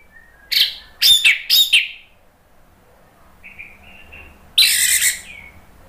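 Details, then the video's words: Anis merah, the orange-headed thrush of Indonesia, in lure and therapy song for songbird keepers. Three loud, scratchy bursts open, then soft, quiet warbled notes, then one strong harsh phrase that trails off. "SUARA ANIS MERAH bikin EMOSI jadi NYAUT NGEPLONG"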